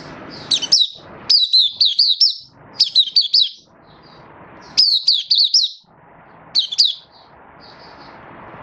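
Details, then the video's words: A Malaysian white-eye sings high, thin twittering phrases of about a second each, five bursts with short pauses, over a soft background hiss; recorded on 20 March 2023 in Singapore in stable, warm, sunny weather. "Mata Puteh Happy Buka Sing"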